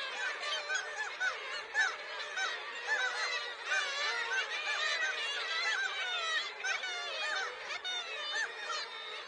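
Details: A dense flock of seagulls in a winter landscape calls nonstop, with overlapping harsh, nasal yelps and squeals rising and falling several times a second.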